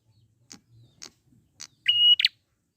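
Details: Wild prinia used to lure birds into song: three soft ticks, then a drawn-out steady whistle ending in a loud buzzy rasp.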